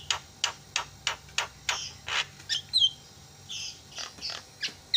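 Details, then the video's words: Javan myna lure recording for birds too lazy to call: a steady series of dry clicks roughly three per second, then a few whistled and scratchy notes. "JALAK KEBO SUARANYA BIKIN JALAK PADA TERIAK"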